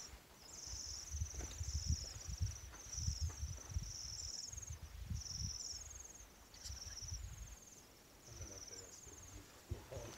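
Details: Wren chicks in a nest inside the Mug House Kiva wall at Mesa Verde cheep as an adult feeds them. High, thin cheeps come in short bursts, repeated steadily through the recording over low rustling and handling noise.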